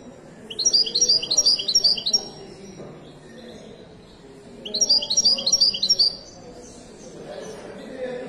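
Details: Two separate bursts of song from a Moroccan Widani goldfinch, each a quick string of high, tinkling, repeated notes about one and a half seconds long, with quiet murmuring background between them.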